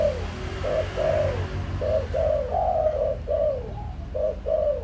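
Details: A spotted dove used as a lure, with a full set of calling and cooing styles to provoke wild doves. Mellow, throaty coos come in rapid groups of short and drawn-out notes, falling at their ends, over a low hum.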